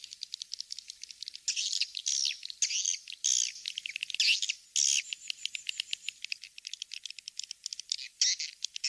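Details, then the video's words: Recording for drawing swiftlets to nest houses, with fast ticking clicks and bursts of high, buzzy twittering that grow louder mid-way, then return to rapid clicks. "Suara walet"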